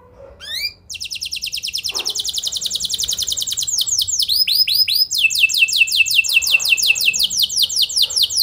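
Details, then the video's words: Lure song of a canary, meant to get other canaries answering: a brief rising chirp, then long rapid rattling trills that change tempo and tone, with swooping notes in the middle. "Burung Kenari Kondisi Apa Saja Bisa langsung Respon Dengan Pancingan Kenari Gacor Satu Ini"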